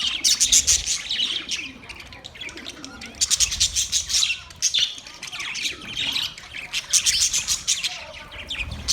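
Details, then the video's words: Budgies chattering together: bright, buzzy chirps and warbles pile up in loud bursts, separated by quieter stretches of softer twittering. "Budgies chirping sounds"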